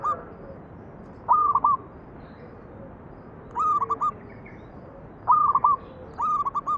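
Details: Local zebra dove cooing, used as a lure to make other doves sing: four short stepped coo phrases, each a quick run of clipped notes ending in a held tone, spaced about one to two seconds apart over a steady background hiss.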